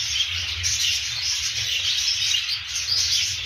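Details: Continuous shrill twittering from several budgerigars, dotted with short whistled notes, over a faint low hum.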